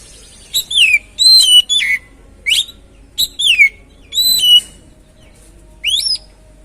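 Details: Oriental magpie-robin lure song for a stalled, stressed bird: a clean series of loud whistles, each dropping steeply in pitch, given roughly once a second, with near silence between them.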